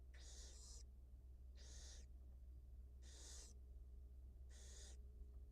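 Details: Wild barn owl mother tending two newly hatched nestlings in a camera-watched nest; four evenly spaced, long raspy hisses about every one and a half seconds, with a loud low hum throughout.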